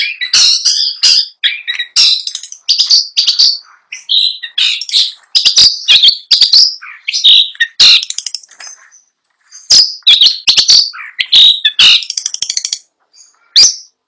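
A long-tailed shrike sings a fast, rolling jumble of harsh chatters, sharp clicks and mimicked chirps, with brief pauses between bursts.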